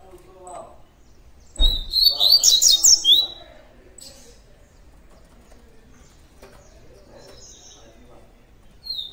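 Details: Double-collared seedeater, tui tui song style. One brief burst of quick, high, twittering whistled notes after a thump, then mostly quiet background with faint distant chirps.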